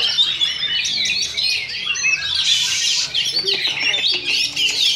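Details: At a Sindanglaut Sunday practice contest, second session, two Oriental magpie-robins duel in song. Rapid chattering phrases and whistled slurs overlap continuously, with a loud burst of harsh, noisy notes midway and soft voices behind.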